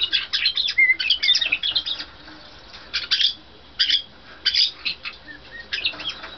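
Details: A pet white-bellied caique (Pionites leucogaster) rocking on a swing gives short, harsh chirps and scratchy bursts in uneven clusters, with brief thin whistles between them and some rustling.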